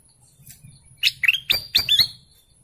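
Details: Golden canary singing a short burst of sharp rising chirps, five or six notes packed close together, with a faint low rumble behind.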